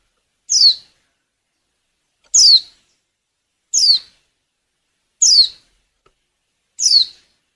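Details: Single high, thin downslurred call from a female white-eye in breeding condition, repeated five times at roughly one-and-a-half-second intervals against silence, a sound used to make males sing for luring.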